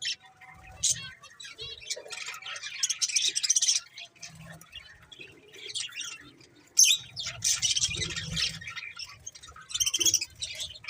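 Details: Budgies chirp and warble in high, twittery phrases, starting quietly, then breaking into loud, busy chatter about halfway through with sharp squeaks.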